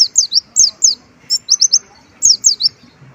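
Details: Olive-backed sunbird delivering white-eye-style phrases in full song: several clusters of two or three high, sharp, downslurred chirps with brief gaps, plus a short run of three evenly spaced notes in the middle.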